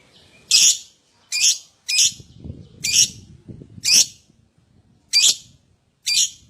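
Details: Lovebird prompt sounds meant to get other lovebirds singing: loud harsh screechy notes repeated about once a second, with soft rustling and low thumps between them.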